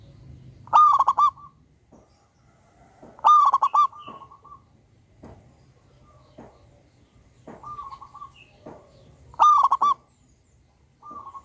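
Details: Loud local-type zebra dove delivers three strong bursts of quick, stuttering coos. Fainter coo phrases and scattered soft clicks fill the gaps.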